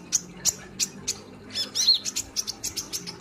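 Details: Kolibri ninja sunbird giving evenly spaced high sharp chips, then a quick twittering cluster with a looped whistle, over a soft low background drone.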